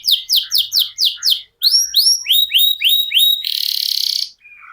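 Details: Canary in sustained contest-style song: a fast run of downward-sweeping chirps, short gap, then repeated rising whistled slurs about four per second, ending in a harsh buzzy trill and a faint low note.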